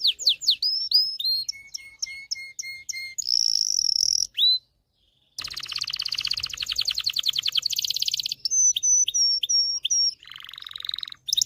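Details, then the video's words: Canary singing to train males and bring females into breeding condition: series of sliding whistles and low steady notes, a buzzy phrase, a short silence, then a long dense trill, ringing whistles and a low rattle. "غناء طائر كناري لتدريب والتسميع ذكور الكناري على الغناء Canary singing"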